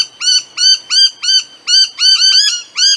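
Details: A noisy miner, an aggressive grey, black-headed honeyeater, gives loud, harsh, arched notes rich in overtones, repeated about twice a second and sometimes doubled, against a quiet background.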